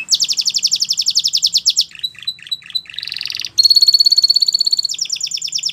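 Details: Belgian canary singing, recorded as a teaching song for young canaries: a rapid buzzy trill, then a few dropping notes and a swelling rattle, followed by a bright sustained high trill and another fast rolling phrase.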